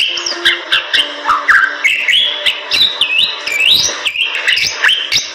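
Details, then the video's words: Bali myna from Indonesia delivering a varied song: clear slurred whistles rising and falling, interspersed with sharp clicking notes and brief chatter, with a faint low steady tone underneath. "Jalak Bali Gacor"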